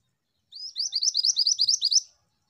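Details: Rapid chirping from an active female Pied Bushchat: about ten high, upward-flicked notes in an even rhythm over a second and a half, background silent.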